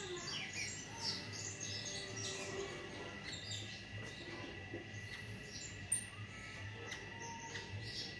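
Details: A European goldfinch sings a fast, tinkling stream of high twitters and trills over a steady background hum and low rumble.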